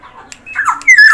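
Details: Black-naped oriole from Sumbawa, singing actively: a brief burst of fluty, slurred whistles ending in a loud, clear note that sweeps downward, with faint room echo behind.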